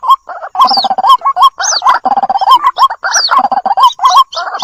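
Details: Lure recording of white-breasted waterhen chicks calling for their mother: repeated buzzy rattles and hooked, rising notes in dense runs, with occasional high, curving squeals overhead.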